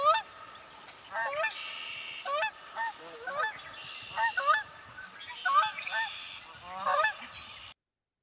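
Canada Geese honking: loud, nasal, two-part honks from several birds, given in irregular bursts about every half second to a second, often overlapping.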